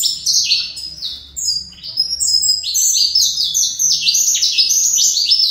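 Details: Saffron finch from a breeder, singing a fibra song; a continuous stream of sharp, high, trilled notes, about four per second, rising and dropping in short sliding phrases with hardly a pause.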